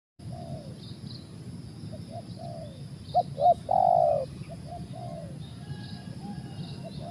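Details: Spotted dove cooing outdoors: a series of soft low coos, with a louder two-note phrase and a drawn-out coo in the middle, over steady background hiss and faint distant chirps.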